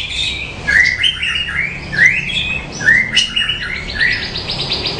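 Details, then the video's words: A bushlark sings melodiously, a continuous jumble of bright chirps, trills and short rising whistles, with quick buzzy notes mixed in over a faint low background hum. "Suara Burung Branjangan Merdu"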